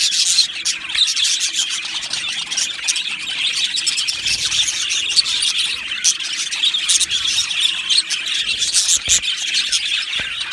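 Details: Budgerigar colony in an aviary singing and chirping: rapid, jumbled high warbles and tweets from many birds at once, with a few louder sharp chips standing out over the chorus.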